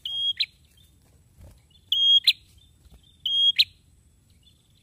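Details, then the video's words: Male prinia singing in full voice: bright sustained whistles, each snapped off with a loud click, given about every 1.3 seconds; a soft thump is heard midway. "PRENJAK JANTAN BAGUS,GACORNYA BIKIN NGILER"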